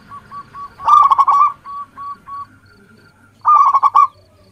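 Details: Local zebra dove lure song meant to set other doves calling: an explosive stuttering burst of bubbly coos, several short spaced notes, a pause, then another clipped rolling burst.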